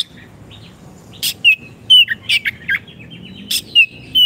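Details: Oriental magpie-robin (kacer) singing vigorously, meant to coax silent caged birds back into song: bright whistled slurs alternating with abrupt clicks, in irregular bursts about twice a second, over a quiet low hum.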